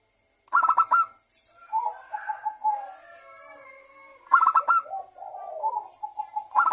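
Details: Zebra dove of local stock singing vigorously as a lure for other doves: three bursts of fast pulsed notes, with soft wavering coos and quieter drawn notes between them.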